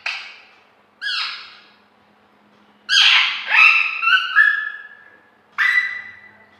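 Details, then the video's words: Pet parrot squawking in a quiet room: a short harsh call, then a pause, then a long burst of loud, grating, wavering squawks with rising and falling overtones, and one final squawk at the close. "parrot's sweet voice"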